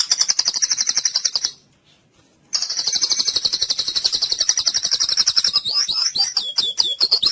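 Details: Murai batu, the white-rumped shama, singing in a therapy track for silent, weak birds: long, rapid, shrill trills at a steady pulse, a short gap, then trills breaking into quick looping whistles.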